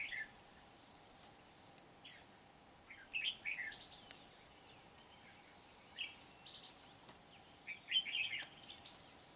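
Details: Energetic red-whiskered bulbul, a wild-caught bird from Kim Bôi used for trapping, 8 September 2019: short lively warbled phrases of bubbling chirps separated by pauses of a few seconds, with faint distant chirping and steady hiss.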